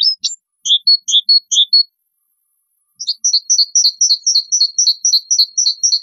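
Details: Bulbul song, clean and free of background noise. A few clear, whistled phrases of rising and falling notes are followed by a pause. A fast, even series of paired chirping notes then repeats about four times a second.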